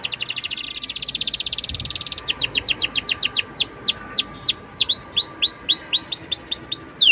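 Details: Lure song of a canary to start young canaries singing: opens with a bright, buzzy rapid trill, then a long series of crisp falling and hooked whistles at an even pace.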